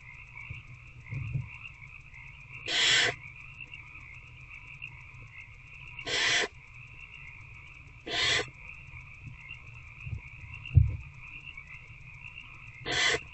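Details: Barn owl at night in a nest box on 19 February 2024 as an adult feeds an older owlet; four short rasping hiss bursts at uneven intervals of two to three seconds, a constant electronic hum and occasional soft knocks beneath.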